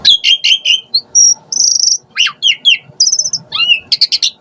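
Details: Asian pied starling (jalak suren) call used as a lure to provoke starlings into singing: a fast medley of harsh chirps, buzzy notes and clear whistled tones jumping between pitches, with short repeated phrases and brief pauses.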